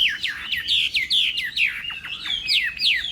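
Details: Morning contest singing by a Chinese hwamei training its voice: rapid series of loud swooping whistles, each dipping then rising, delivered almost without break across three seconds.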